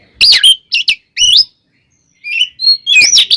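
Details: Oriental magpie-robin in fighting song used to provoke other magpie-robins, looping warbled whistles and scratchy notes, a pause, then softer whistles building to a loud warble.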